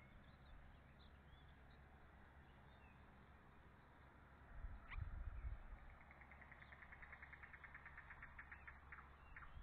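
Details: Bald eagles at a nest on May 16, 2013, around 6:30 pm, as the adult male delivers another fish and the young self-feed. After a dull thump comes a quick, even series of high, thin chittering notes, about four per second, over a steady low rumble.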